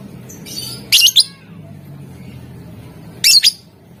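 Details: Lovebird calling to provoke a rival's answer: two loud, grating high-pitched bursts of clustered notes about two seconds apart, with quieter chirps before the first.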